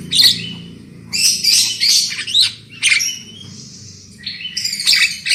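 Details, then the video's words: Black-winged myna singing on a lure recording meant to prompt birds to sing loudly: harsh, buzzy squawks mixed with high whistled notes in bursts, one long steady whistle near the middle, over a faint low hum. "SUARA PANCINGAN JALAK KEBO AGAR CEPAT NGOCEH KERAS"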